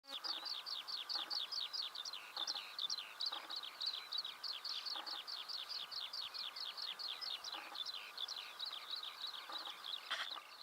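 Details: Eurasian skylark singing on a June 2016 morning in Belarus: a long unbroken stream of quick, high chirping notes, each slurred and repeated several times a second, with faint rustling beneath.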